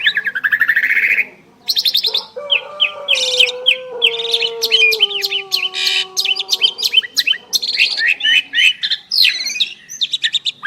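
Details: Two Asian pied starlings singing in duet: varied harsh chattering, buzzy bursts and whistled notes with a long low steady tone running underneath for several seconds.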